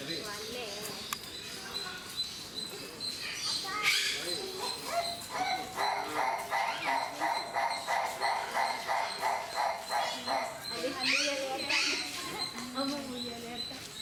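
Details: Captive Livingstone's turaco at Mysore Zoo: after scattered voices and noise, a rhythmic run of rough, croaking notes repeats rapidly for several seconds in the middle, then human sounds return.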